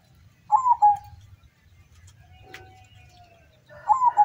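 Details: Zebra dove song from a local bird contest in Central Java, Indonesia, with birds gathered from many towns: a trilled coo followed by a drawn-out level note, then a second phrase starting about three seconds later, with a faint click between.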